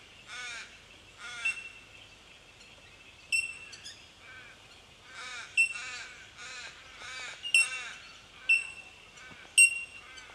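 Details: Bell miners in Victoria, Australia, March 2011: loud, pure, bell-like tinks repeated every second or so, mixed with harsh, scratchy chattering bursts throughout.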